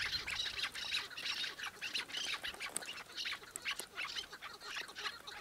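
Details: Chukar partridge uttering a fast stream of sharp, raspy clucks, about three per second, the notes bright and grating against faint background hiss.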